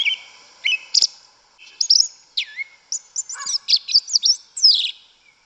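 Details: Yellow-legged thrush in the forest giving its 'canto mateiro': dense, varied high phrases mixing falling whistles, chirps and quick trills, almost without pause.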